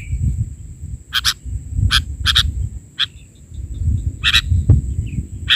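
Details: Sooty-headed bulbul song, 'bahari' version: bursts of bright chirpy notes recurring every second or so, partly masked by a louder, uneven low rumble in the background.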